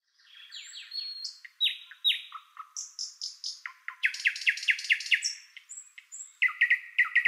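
A white-eyed bulbul gives a rapid, varied run of bright, descending whistled notes and chirps, bursting in quick repeated phrases with no other sounds.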